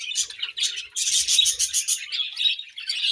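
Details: Budgerigars at morning feeding time giving a steady stream of high, rapid chirps and warbling chatter, pulsing in quick bursts several times a second, with faint soft thuds mid-way.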